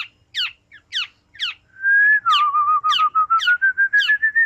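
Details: Black-naped oriole singing: three separate down-slurred whistled notes, then a sustained level whistle with rapid repeated fluting notes, loud and clear against a quiet background.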